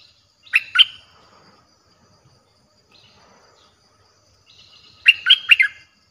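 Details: A Streak-eared bulbul song played to lure wild birds: a short two-note chirp, faint twittering, then a lively three-note phrase about four seconds later.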